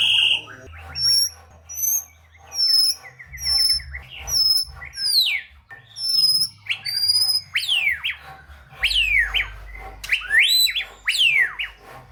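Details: Vigorous, varied song of a White-rumped shama, full of fill-ins, meant to stimulate lazy shamas: high chittering notes first, then a series of loud, sharply falling whistles spaced about a second apart.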